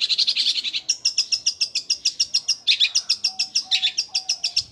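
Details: Long-tailed shrike in 'gereja Kunti' style, a fast rolling sewing-machine-like song: an unbroken run of quick, evenly spaced high notes, about three or four per second, sharp and chattering throughout.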